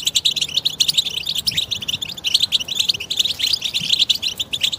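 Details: Several European goldfinches singing together, a group song meant to stimulate silent goldfinches into song; dense overlapping twittering, tinkling and buzzy notes, continuous throughout with rapid chirps.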